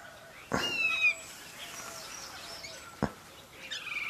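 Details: Black bulbul (Hypsipetes psaroides), call.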